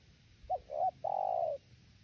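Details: Spotted dove cooing: two short, mellow hoots followed by one long, drawn-out hollow coo lasting about half a second, all at a low, steady pitch. A quiet background hiss is present.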